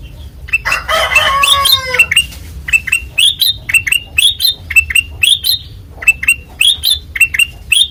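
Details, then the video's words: Kutilang emas (white-eyed form) singing in the loud, open ngeplong style: a harsh chattering burst, then quick bright rising chirps repeated several times a second. "Suara Asli Ngeplong Kutilang Emas Mata Putih Gacor Dor"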